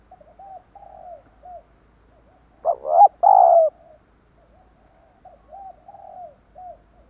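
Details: Spotted dove call used to lure wild doves: soft low coos in short groups, broken midway by two loud, harsher cooing bursts, then quiet coos resume.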